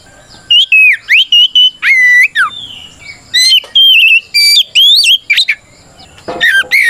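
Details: Loud, continuous White-rumped shama challenge song meant to provoke rival shamas into singing back: rich mix of pure whistles, sharp slurred notes and harsh chattering bursts, delivered in quick, varied phrases.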